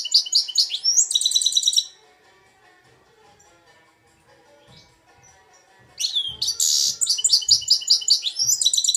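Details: Two-year-old goldfinch x red siskin hybrid in Belfast singing Algerian goldfinch-style song: rapid bursts of high, buzzy, twittering notes in fast repeated trills, a quiet pause of about four seconds with faint low knocks, then another energetic burst.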